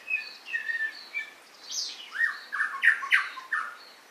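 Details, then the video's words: White-rumped shama singing: a few gentle whistles lead into louder, harsher buzzy and squawking notes, all over steady background hiss. "Murai. Batu"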